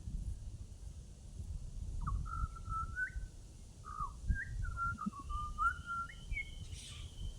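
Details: A butcherbird in Australia gives a run of clear, fluty whistled notes, some sliding up or down, over about four seconds against a low background rumble.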